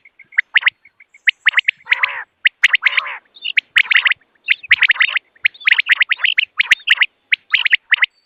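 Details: Quail in the morning, a sound used for hunting: quick bursts of bright, high, clicking notes packed closely together, with a couple of lower, harsh, wheezy phrases early on.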